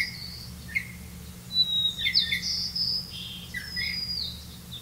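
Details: Red-vented bulbul feeding its young with crickets; softer, sparse high chirps and drawn-out thin whistled notes, some sliding, clustered in the middle seconds against a low hum.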